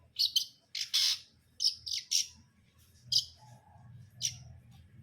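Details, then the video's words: A cendet brundol, or long-tailed shrike, gives scratchy, squawking chirps in small clusters over a steady low hum. "KICAUAN CENDET BRUNDOL"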